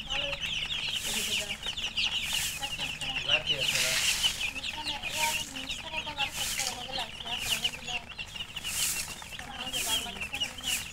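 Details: Just-born chicks thirsty for drinking water, chirping loudly in a dense, constant chorus of high, sharp peeps, many birds calling at once with rustling and low background noise.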